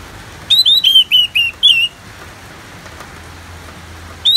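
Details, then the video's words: Orange-headed thrush, recorded for bird therapy with rain sounds: a rapid string of six bright, downward-sliding whistled notes in about a second and a half, then quiet hiss and one final note at the end. "Terapi ANIS MERAH Ngeplong dan Suara Hujan ALAMI"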